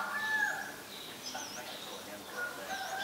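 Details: Black-collared Starling (Gracupica nigricollis) in Ubon Ratchathani, Thailand, 2 January 2020: a clear, level whistle, then scratchy chattering notes and high upslurred squeaks, other birds faint in the background.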